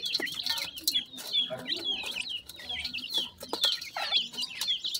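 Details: Pheasant chicks calling for their mother: rapid, high-pitched peeps, about two a second, each a thin upward-sweeping note, several chicks overlapping, with faint rustling in the background.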